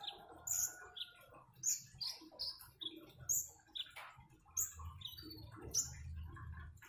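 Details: Common iora heard with flowing water, giving scattered bright high chirps and short whistled notes at varied pitches, separated by small pauses, over a faint low gurgling of water.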